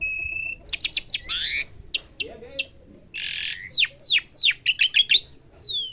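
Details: Asian pied starling in sound-learning training, mixing paired steady tones, rapid downslurred chips, a harsh rasping burst and a final long rising-falling whistle.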